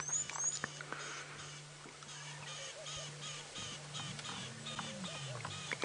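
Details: Very upset Cisticolas high in a marula tree at sunset on 4 April 2017, possibly alarmed by a snake, give sharp, high ticking alarm notes in rapid uneven bursts over an idling vehicle engine.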